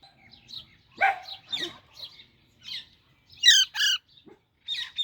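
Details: Chick of the Alexandrine parakeet gives soft high chirps and rough notes, then a loud double squawk, then more short chirps.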